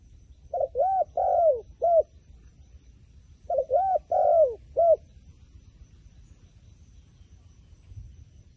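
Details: Wild pigeon repeating the same cooing phrase twice, about three seconds apart, each a quick run of three or four rounded, hollow notes, followed by quiet.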